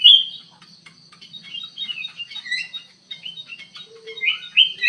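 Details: In an aviary, a black-capped bulbul gives soft chirps and bubbly whistled phrases that swell into louder warbles at the end, over a constant thin high whine.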